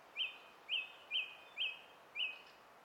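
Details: Song thrush song recorded on 20 April 2016. A short, bright whistled note is repeated five times at a steady pace of roughly two per second. No other sounds stand out.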